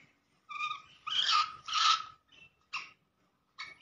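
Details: Black francolin call, used to rouse and excite francolins quickly: harsh, grating bursts, a short note followed by two longer rasping notes, then two clipped notes spaced about a second apart, fairly faint against a quiet background.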